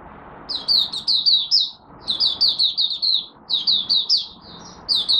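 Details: Malaysian oriental white-eye kept as a songbird, morning warm-up session. It sings bright, high twittering phrases of five or six rapid slurred notes, each phrase followed by a short break before the next.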